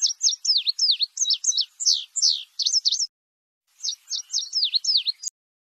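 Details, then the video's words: Indigo bird giving a rapid string of bright, high chirps that swoop downward, some in close pairs. A short pause splits two bursts, with a clean, quiet background. "burung indigo"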